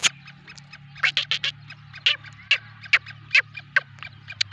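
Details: Black francolin in Sindh, Pakistan: a rapid series of harsh, scratchy, broadband notes, about a dozen bursts in under five seconds at an uneven rhythm, with a steady low hum underneath.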